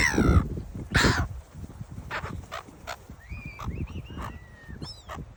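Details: Gulls at Bare Island, La Perouse, Sydney: two loud, harsh, harmonic cries open the recording, followed by fainter, thin, rising whistled calls scattered over several seconds, over a steady low rumble of wind or surf.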